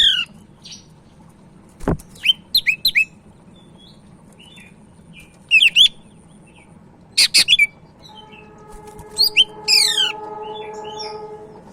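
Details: Sumatran leafbird (cak ijo), Medan type, in lively song: clusters of sharp high chips and slurred whistles in bursts, a loud click, and later steady low tones alongside the song, over constant hum.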